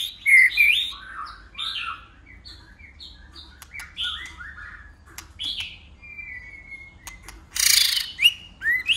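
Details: White-rumped shama singing competitively with many voices: loud opening burst of warbled notes, quieter scattered chips and whistles, a flat whistle, then a loud buzzy phrase and sharp notes.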